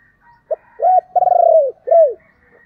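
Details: Decoy spotted dove giving its thúc and calling coos to lure wild doves: a brief note, a rounded coo, then a long throbbing, stuttering coo sliding down, ending in a falling coo; quiet background.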